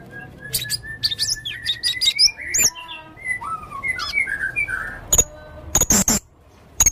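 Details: Varied song of a blue-crowned hanging parrot (serindit leher merah) in full voice: a busy mix of thin high chirps, short whistled slurs and squeaky twitters, followed by a few sharp isolated high clicks.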